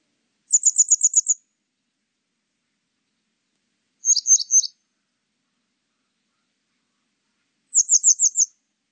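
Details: In a 2020 recording from Korea's National Institute of Biological Resources, a grey wagtail utters three bursts of very high, rapid ticking notes, about six per burst, separated by pauses of several seconds, with no other sound.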